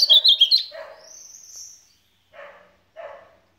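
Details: Azulão (ultramarine grosbeak) opens with a fast supapo warble and a long thin whistle; lower, harsh bursts follow twice in the quiet afterwards.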